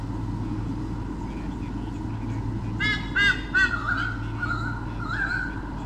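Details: Territorial defence by a white-bellied sea eagle pair against swooping currawongs, Sydney Olympic Park, Australia, 2013: a burst of three loud, grating honks midway, followed by softer wavering tones, with low hum throughout.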